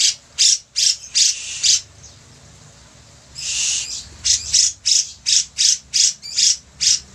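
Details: Active, chattering grey-cheeked bulbul (cucak jenggot): a burst of harsh high notes, a pause, a long raspy hiss, then a regular series of buzzy notes about every third of a second.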